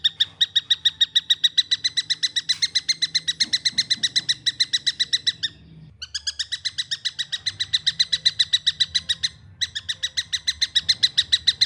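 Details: Young long-tailed shrike calling in fast runs of scratchy, repeated notes near four per second, broken by two short pauses before the series resumes; faint low background hum.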